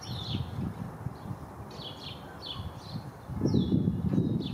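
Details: Backyard Black-capped chickadee in Downers Grove, DuPage County, Illinois, giving thin, high descending notes in short bursts, with rustling and low noise rising near the end.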